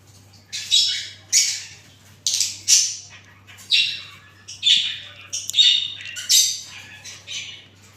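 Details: Parrot giving a series of harsh, raspy squawks, each short and loud, repeated roughly every half second to second across the stretch.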